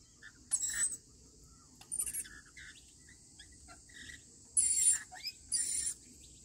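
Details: Feeding-time rainbow lorikeets give sharp, shrill squawks in separate bursts of about half a second each. Several come in quick pairs, with quiet gaps between them.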